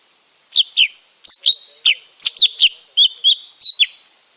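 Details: Lesser green leafbird giving a lively run of high whistles, alternating falling slurs and brief flat notes, nearly continuous for about three seconds over soft background hiss.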